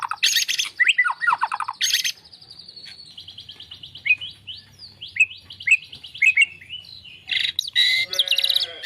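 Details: Champion-fighter white-rumped shama pouring out a varied song of loud chirp bursts, long high whistled trills and swooping notes, ending in a rapid chatter, over a low background hum.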